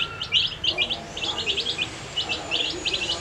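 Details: Baby chicks coloured with dye, eating, giving clusters of short piercing peeps in uneven bursts, several birds calling at once.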